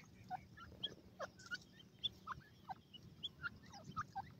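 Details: Short high peeps from grey francolin chicks during play, repeated irregularly at varied pitches, some brief and clipped, others slightly slurred, against a quiet low murmur.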